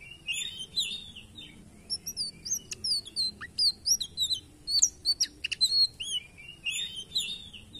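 An indigo flycatcher sings a high, thin twittering song of quick chirps and slurred notes.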